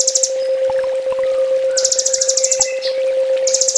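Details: Kolibri ninja sunbird master song for training: repeated bursts of shrill, fast-trilled notes lasting about half a second, with sparse short chirps between them and a constant low electrical hum underneath.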